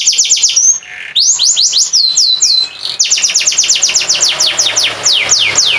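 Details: Competition canary whose song serves as training material for other birds: quick falling whistles, a brief lower buzzy note, slurred swoops, then a long series of rapid, high descending whistled notes.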